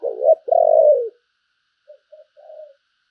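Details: Decoy spotted dove calling: a short rough hoarse note, then a longer throaty coo that slowly falls, followed after a pause by soft faint coo fragments. No other sounds.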